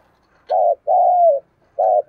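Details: Spotted dove, a decoy bird, in urging coo style: a brief clipped coo, then a long smooth coo sliding slightly downward, and the start of the next short note.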